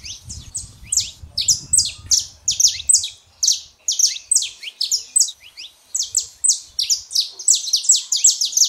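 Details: Saffron finch, male and female, singing to warm up a quiet canary: long steady series of loud, sharp, high chirps repeated several times a second, clean background after a brief low rumble.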